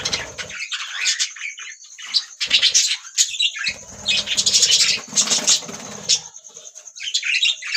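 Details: A budgerigar group keeps up continuous chirping: rapid scratchy notes and squeaky whistles packed together, loudest in surges at about four to six seconds, with faint low thumps and rustling underneath.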